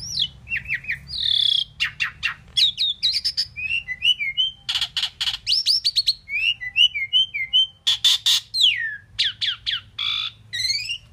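An Indian pied myna gives a rapid jumble of clear whistles, rising slurs, harsh raspy notes and clicks, mostly high-pitched, with short pauses between bursts.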